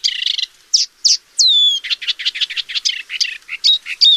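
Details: Paddyfield warbler pouring out a lively, varied song: scratchy chatter, a long clear downslurred whistle, then a brisk run of rattling notes and twisting chirps.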